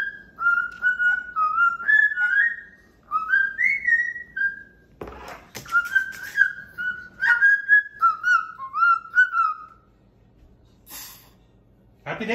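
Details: Pet cockatoo indoors giving a run of clear, wavering whistled phrases in short repeated bursts, tune-like, broken by a brief clatter and a spoken voice.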